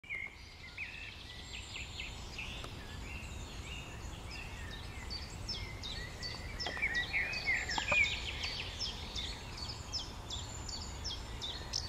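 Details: Common Swifts (Apus apus) feeding just above treetops in poor weather at lake Wylermeer near Beek Ubbergen, Netherlands, June 3, 2012: a steady stream of shrill, thin screeches, many birds overlapping quickly, over low wind rumble.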